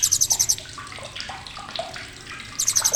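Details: Blue-crowned hanging parrot with a sharp chatter: quick, very high pulsed trills of about six notes open and close the recording, with scattered lower twitters from other birds in between.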